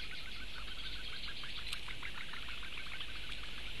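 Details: Four young Eurasian bitterns beg for food on 16 May 2017, producing a rapid stream of short clicks over a constant hissy, high-pitched chatter with some steady low background noise.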